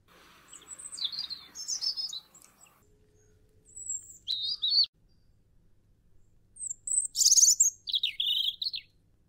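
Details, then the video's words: A European robin sings short, high, wistful phrases of thin whistles and fast twittering trills, each lasting about a second, separated by brief pauses. "Robin (Red Breast) - Bird Song"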